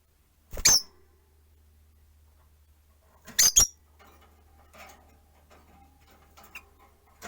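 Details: Rosy-faced lovebirds, four kept in a cage near a window, let out two loud clusters of piercing, high, squeaky chirps about three seconds apart over a low steady hum and faint indoor noise.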